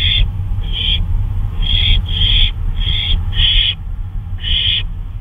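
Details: At 2:39 AM on May 26, 2013, an owl out on a flight utters a run of rough, breathy screeches, roughly seven short bursts spaced unevenly, with a low droning hum beneath.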